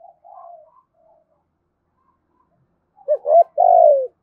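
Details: Spotted dove used as a caller to attract wild doves; a soft distant coo first, then a loud phrase of two short hoots and a long falling coo.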